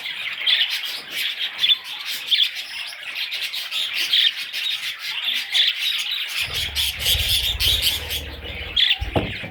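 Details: Parrot chicks chatter in a harsh, high, squawking stream of short notes; a low rumbling handling noise enters during the second half.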